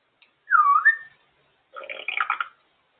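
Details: African grey parrot out of its cage, a pet enjoying free time; a looping whistled note sliding down then up, followed after a pause by a harsh, broadband chattering burst.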